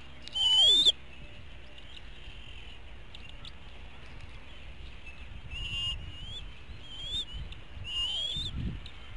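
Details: Hanover, Pennsylvania eagle nest at dinner time, 5 April 2017 around 5 pm, eaglets with one missing its meal; a loud harsh squealing call opens, followed by softer high whistles and rising squeals later, with rustling noise.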